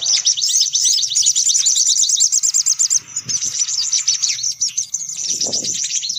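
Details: Sunbirds calling on a lure track: a fast, shrill, chattering trill of high notes that runs almost without pause, with faint low knocks in the background.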